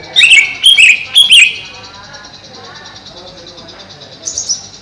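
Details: Caged greater green leafbird housed above a pond, uttering three sharp downslurred notes in quick succession, then a softer high chatter after a pause, over a constant high-pitched hiss.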